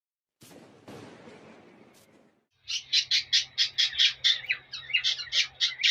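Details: Male cockatiel singing and whistling to a female to stimulate mating; after about two seconds of soft broadband rustling, a run of sharp, evenly spaced high chirps repeats roughly twice per second.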